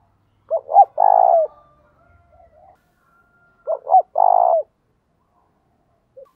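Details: Spotted dove used as a decoy, cooing to provoke rivals: two matching phrases roughly three seconds apart, each two short curled notes then a long throaty buzzing note, with weak distant cooing in the pause.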